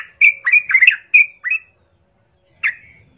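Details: Sooty-headed bulbul, a vigorous singer, giving a lure song to provoke rival bulbuls into fighting: a quick cluster of warbled whistles and chattering notes, a short silence, then one sharp note with a brief trill.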